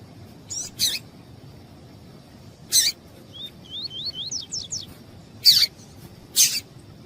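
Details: A female double-collared seedeater calls to stimulate a male with a paired chip and then a lone rasping chip. A quick run of thin climbing whistles follows, then two more loud high chips.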